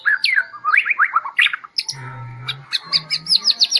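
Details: Medan-type white-rumped shama singing quick looping whistled phrases, then a steady run of short repeated high notes, with a low hum underneath.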